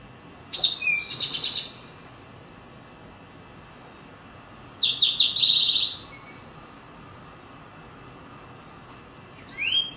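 Rufous-sided Towhee song: a couple of sharp, high opening notes, then a quick ringing trill, repeated roughly every four seconds over a quiet background.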